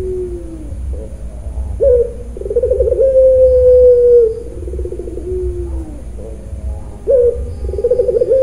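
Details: Farm-kept puter pelung dove from Kroya, Cilacap, Central Java, cooing in the "nangis" crying style: a quick pulsing trill, a long level tone held about two seconds, then a falling vibrato phrase, over a steady low rumble.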